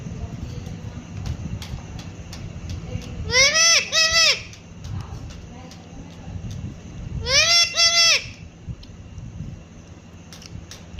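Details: A pet Indian ringneck parrot (rose-ringed parakeet) speaks two short, nasal, word-like phrases, each of two drawn-out syllables, about four seconds apart, over a low background rumble.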